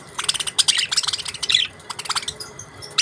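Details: Budgies give a busy stream of high, bright chirps and twittering notes, rapid and overlapping, with a brief lull near the end before another sharp chirp.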